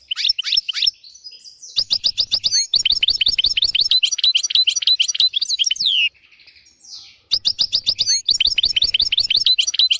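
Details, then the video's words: Tutor song of a European goldfinch used to train young goldfinches and canaries: a long, dense run of rapid high twitters and tinkling notes, broken by one short pause before the bright chattering resumes. "تغريد طائر الحسون حفاضة لتعليم طيور الحسون والكناري بدون أخطاء"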